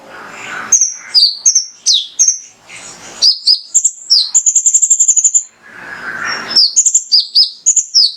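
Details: Male mangrove whistler singing to stimulate other birds: crisp high chirps and falling slurs, then a fast even trill of about ten notes, with low rustling noise before and after.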